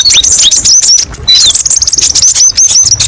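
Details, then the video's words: Kolibri ninja, the olive-backed sunbird, singing spicy 'tembakan' phrases: quick high downslurred whistles and trills, then evenly spaced short whistled notes repeated in a row near the end. "TERAPI BURUNG KOLIBRI NINJA: BANYAK VARIASI TEMBAKAN PEDES & MASTERAN KONIN PALING DICARI"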